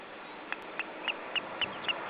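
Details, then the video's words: Osprey alarm call recorded in July 2012: six short, thin whistled notes spaced evenly about a quarter second apart, fairly faint against a steady background hiss. "Osprey (Pandion haliaetus) - Alarm call"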